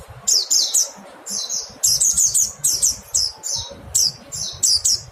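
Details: Mountain white-eye calls for songbird tutoring: thin, high, downward-slurred notes given in quick bursts of two to four, separated by short pauses, over faint low background rumble.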